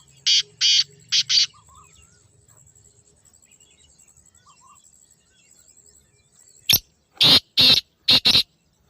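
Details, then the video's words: A black francolin calls twice: grating, buzzy notes in a rhythmic series, spaced beats closing with a fast pair. A long quiet gap with faint soft chirps separates the phrases. "کالے تیتر کی آواز | Black Francolin Beautiful Call"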